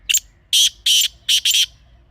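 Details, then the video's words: Black francolin (kala teetar) from Pakistan, recorded in natural surroundings: a burst of five grating, rasping notes, a short first note followed by longer ones, the last two almost joined. "Real Kala Teetar Sound"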